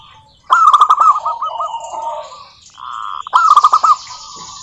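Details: Local zebra dove singing to lure other doves to sing: two loud emphatic bursts of quick coos, the first trailing into a slowing series of separate notes, with a steadier tone between.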